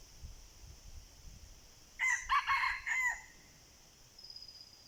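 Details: Red junglefowl crowing during a decoy session for wild junglefowl: one clipped crow of about four harsh syllables lasting just over a second, after quiet background with faint low rustles.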